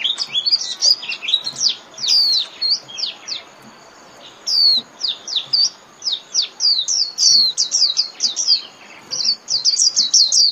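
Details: Japanese white-eye singing líu song for caged-bird training: an almost continuous chatter of very high, varied slurred whistles, rising and falling, delivered in fast clusters with brief breaks.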